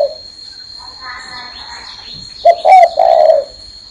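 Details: Spotted dove perched on a hand. Quiet speech fills the first half, then the bird delivers a clear cooing phrase: two short notes, a bent higher note, and a long hoarse low coo.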